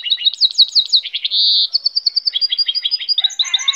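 Goldfinch hybrid singing a rapid, high twittering song of tinkling notes, slurred chirps and a brief buzzy trill, with no other sounds.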